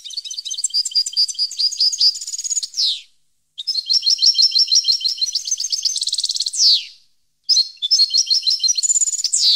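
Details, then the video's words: European goldfinch delivering three long phrases of quick, tinkling twitters and trills, each closing with a harsh downward-sweeping buzz, with short gaps between phrases. "Goldfinch song 2015/ Canto Jilguero Parva 2015"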